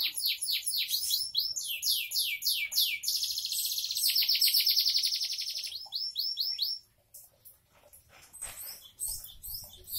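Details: Canary, described as a diligent, non-stop singer, delivering a fast rolling song: rapid repeated high descending notes, then a dense buzzy trill around four seconds, followed by softer scattered chirps near the end.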